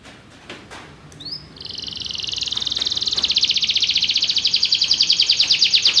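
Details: Belgian canary delivering song: faint clicks at first, then a rising note leading into a long sustained rapid trill that grows steadily louder and becomes more pulsed toward the end.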